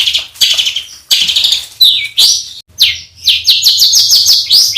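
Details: Songbird master recording for training competition birds, with rough fill-in phrases: harsh buzzy bursts, then a falling whistled note, followed by a fast run of short, repeated downslurred chips.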